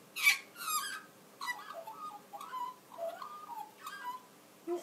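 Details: A wild-raised Australian magpie sings a duet with a cockatiel: the magpie gives rich, warbling phrases, and the cockatiel joins in with harsher, buzzier notes.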